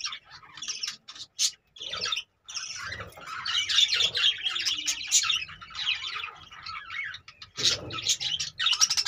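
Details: Pet budgerigars in cages keep up a continuous high, buzzy, fast-changing warble mixed with sharp chirps, broken by a few brief silences.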